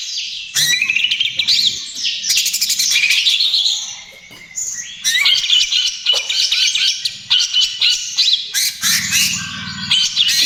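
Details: Greater green leafbird in full trotol song, used as lure and therapy for other birds: long loud stretches of rapid twittering and stuttering trills, broken by a short quieter gap midway, then a renewed chattering outburst.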